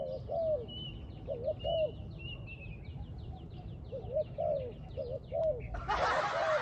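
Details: A spotted dove coos in steady phrases of short, mellow, slurred notes while a trap is set. Small birds chatter and whistle in the background, and a loud rustling burst of noise comes near the end.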